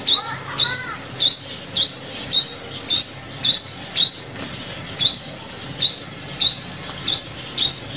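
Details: Sunbird lure call for trapping, a steady series of about fourteen bright rising chirps, briefly overlapped at the start by fainter lower whistled notes from another bird.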